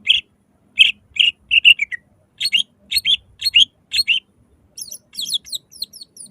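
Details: Greater green leafbird (cucak ijo) in a loud lure song meant to make other leafbirds sing: evenly spaced bright chirped notes about twice per second, ending in a fast, thin, high twittering run.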